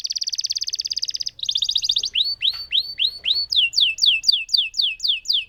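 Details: Long-rolling lemon canary: a fast buzzy trill shifting lower in pitch, then repeated curved whistles and a quick series of downward-sweeping notes.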